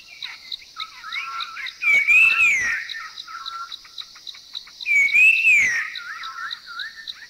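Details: Puff-throated Babbler, recorded in a Thai national park (Khao Yai, Doi Inthanon, Doi Suthep-Pui or Chae Son), giving its normal three-tone whistle twice, about three seconds apart, over its own soft churring and chuckling and a steady high insect drone.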